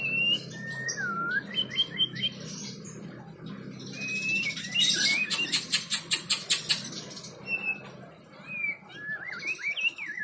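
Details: White-rumped shama singing: clear whistled phrases that rise and fall, with a burst of rapid sharp broadband clicks in the middle and a low steady hum underneath.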